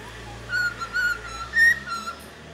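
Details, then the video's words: Cockatiel whistling Happy Birthday: clear, sliding notes in four short phrases picking out the tune, over a faint low hum. "นกค็อกคาเทลร้องเพลงHappy birthday"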